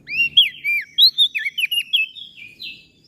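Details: Masteran song for cage birds featuring common iora and bar-winged prinia: a short, lively phrase of slurred whistles and quick chirps, clear and close, with almost no background sound.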